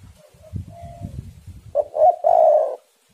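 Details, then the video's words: Spotted dove song used to lure doves into singing: soft low knocking and faint coos, then one loud low phrase of short notes ending in a long rolling coo. "tekukur super gacor saling memanas"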